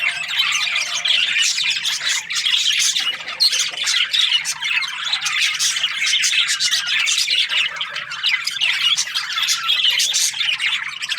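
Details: Australian parrot budgies chattering nonstop, many bright chirps and short scratchy squawks overlapping into a steady high-pitched din with no pauses or other clear sounds.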